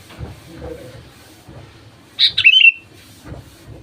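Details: ,Sooty-headed bulbul song used as a lure to get other bulbuls singing: one short bubbly phrase of liquid notes sliding downward, after a quiet stretch with low background murmur.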